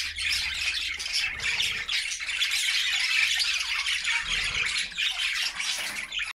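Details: Singing budgerigar flock, said to be happy, housed in a new homemade cage: constant bright warbling and scratchy chatter from many birds, with occasional louder squawky notes and faint low background hum.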